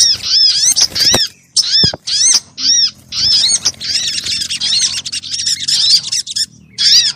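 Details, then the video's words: Lure call of crimson sunbirds for drawing birds in and making them sing; stacked high chevron-shaped chirps in choppy bursts, building into a dense buzzing chatter. "SUARA PIKAT BURUNG SOGOK ONTONG RIBUT AMPUH BIKIN SOGON NEMPEL PULUT"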